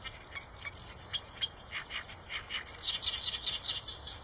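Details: Eurasian tree sparrow calling: a run of short, bright chirps repeated roughly twice per second, growing denser and louder toward the end, over a steady high insect whine.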